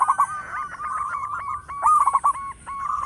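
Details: Loud local zebra dove used as a lure bird: dense, quick rolling coos with looping note shapes, phrases overlapping so that more than one dove seems to call at once.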